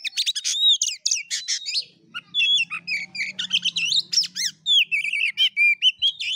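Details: Oriental magpie-robin in fighting-style song, kept as a songbird: rapid varied phrases mixing sharp downward chevron notes, buzzy rattles and clear whistled slurs, delivered in quick bursts with brief pauses, a faint low hum beneath.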